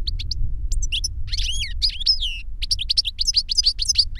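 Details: European goldfinch of the 'reclamo' singing style, master bird whose song taught a novice goldfinch: liquid twittering notes building into sweeping, slurred whistled phrases and fast repeated chirps, steady low rumble underneath.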